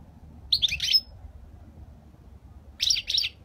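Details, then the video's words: Flawless Spanish-style song of a European goldfinch, 2020: two rapid, liquid twittering phrases of several quick notes each, separated by about two seconds of near silence with faint low hum. "تغريد الحسون الإسباني الخالي من الأخطاء 2020"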